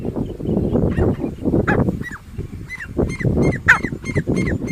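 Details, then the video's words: Grey francolin calling, a run of short hooked whistled notes that rise then fall, repeated roughly every half second over heavy low rumbling background noise. "Grey Francolin voice"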